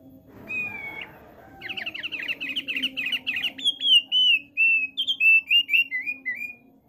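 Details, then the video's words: Male thick-billed white-eye singing: one long flat whistle, then a fast chattering jumble of twittering notes, then a string of clear sliding whistles about four per second. A faint hum is in the background. "OPIOR PARUH TEBAL JANTAN LAGI NGOCEH"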